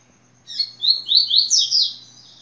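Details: Tui-tui song of a yellow-bellied seedeater: a soft buzzy lead-in followed by a run of five sharp, high slurred notes, each sweeping up and down and stepping higher toward the end. A quiet electrical hum lies underneath.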